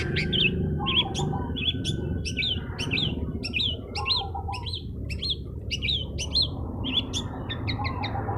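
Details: Singing long-tailed shrike, used to provoke rivals. Short rising, whistled notes repeat roughly every half second, each with a sharp high click, and a lower warbling phrase returns in between. Low background rumble throughout.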